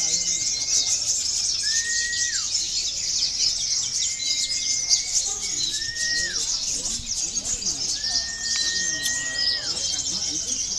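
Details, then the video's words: High, busy, nonstop twittering from a local konin sunbird, kept up for the full length, with spaced whistled notes that hold level and then drop sharply, offered as therapy for birds entered in song contests. "KONIN LOKAL BERAKSI || bisa juga buat terapi lomba"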